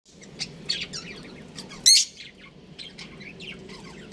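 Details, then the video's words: Breeding pair of pet budgerigars kept at home, giving short high chirps and rapid warbled notes in scattered bursts, with one loud harsh squawk near the middle and a low steady background hum. "Adorable Budgies Chirping Sounds | Amazing Budgies Breeding Pair"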